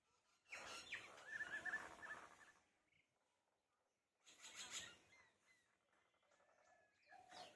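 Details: Common myna calling on a morning in a field in West Bengal: two bursts of harsh, grating chatter with thin whistled strands, separated by a quiet gap of about a second and a half.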